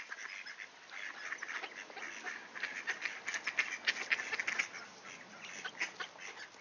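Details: At a door in Sainte-Adèle, Quebec, ducks give greeting calls on a clear 18°C September day in 2024; steady quacking swells into a louder flurry of sharp calls midway, then eases.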